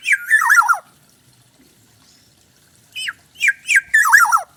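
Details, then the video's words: Bali black-naped oriole singing loud, mellow whistled phrases with a warbling downward slur, then after a pause two short rising notes leading into another flowing warbled phrase. "kepodang asli bali gacor"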